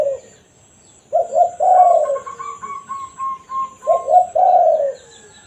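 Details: Spotted dove cooing in the 'kuk satu' (single kuk) style used to attract wild doves; two low husky phrases separated by a quick stuttering run of pulsed notes.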